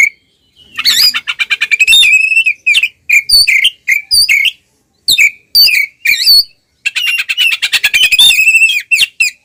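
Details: Oriental magpie-robin singing ngeplong fighting song to draw out rivals: fast rattled trills mixed with sharp slurred whistles, phrases separated by short pauses, closing with a long rapid buzzy run.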